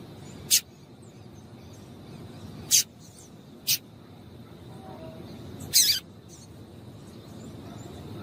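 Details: Female double-collared seedeater calling to stimulate males into singing: four short, harsh, hissy chips spread irregularly over eight seconds against a steady low hiss.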